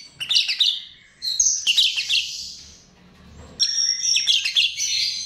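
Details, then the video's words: Chestnut-tailed starling phrases used as a lure: three separate bursts of harsh, high squeaky chatter divided by short quiet gaps, the last including a clear level whistle. "Ternyata ini Pancingan Jalak RIO RIO"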